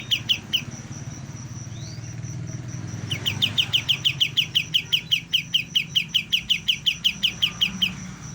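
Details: Young white-shouldered triller starting to learn its song: a brief chirp pair, then a fast run of sharp, clipped chirps repeated nearly three times a second for about five seconds, over a steady thin high whine and low background hum.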